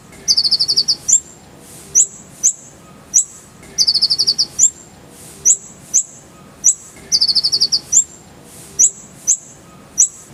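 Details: Masteran full-fill song of a brown-throated sunbird: a rapid high trill, then upslurred piercing whistles, the whole phrase repeated about every three and a half seconds.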